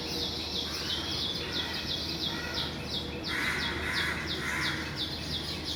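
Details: Weaver birds chirping while flying to and from their nests in the morning; quick repeated high chirps run throughout, joined midway by a rougher, lower chattering burst.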